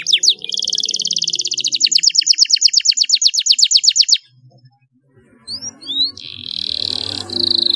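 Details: Canary singing to encourage reluctant canaries to sing: a long, fast, buzzy trill of evenly repeated notes for about four seconds, a short pause, then a few thin rising whistles and a sustained high note.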